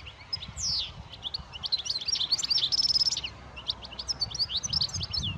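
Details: European goldfinch pouring out bright, tinkling twitters mixed with short buzzy trills and quick liquid notes in a continuous, lively jumble. A brief pause falls midway, and faint low background noise runs beneath.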